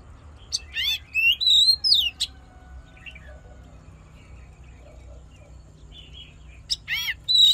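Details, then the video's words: Oriental magpie-robin fighting song for rousing males and training voices: a run of sweet rising and falling whistles followed by a long pause, then harsh stacked notes and a final whistle. "Hót Đấu Kích Trống Căng Lửa || Luyện Giọng Chòe Than"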